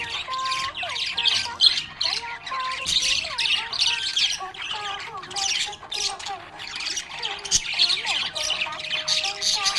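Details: Happy budgie giving long, excited chattering: harsh squawks and bright chirps in rolling bursts, over bending mid-pitched tones.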